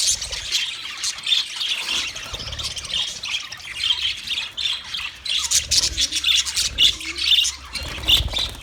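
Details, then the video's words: Budgerigars recorded on 29 February 2024, several birds chattering at once in a dense, continuous high warble, with scratchy squawks and brighter chirps peaking now and then over a faint low rumble. "Best Sounds Of Budgie Bird"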